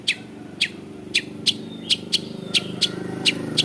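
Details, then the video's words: Long-tailed shrike (cendet), a bird able to imitate many other birds' voices, giving sharp, high, downward-flicking notes repeated about every half second over a low rumbling hum like traffic. "CENDET GACOR"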